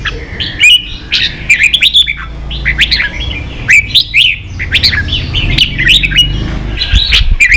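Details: Competing red-whiskered bulbul, a Vietnamese cage bird, pours out dense bursts of sharp chirps and fluty slurred whistles, phrases tumbling over one another over several seconds. A faint low hum sits beneath.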